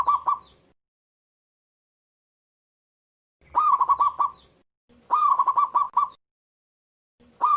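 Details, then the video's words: Local zebra dove singing actively with a big voice: rapid stuttering phrases of short cooing notes, each burst about a second long with a slightly harsh, crackly edge, repeated after pauses of one to three seconds in otherwise quiet surroundings. "PERKUTUT LOKAL GACOR SUARA BESAR"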